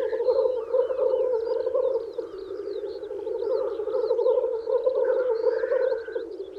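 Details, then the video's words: Male black grouse lekking in spring, wooing females: a dense, continuous bubbling, cooing chorus of several birds, steady throughout, with thin, higher chirps and twitters scattered above it. "Black Grouse Lekking"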